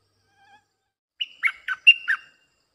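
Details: Bulbul singing in a lure recording for wild birds: a faint soft note, then a quick phrase of five rich, slurred notes alternating higher and lower, each short and clear.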